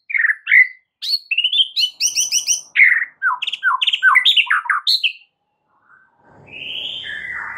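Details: White-rumped shama tutor song for stressed birds: rapid varied phrases of whistled slurs, quick trills and sharp high chips in a continuous stream, then a pause and soft room rustle with a drawn-out whistle.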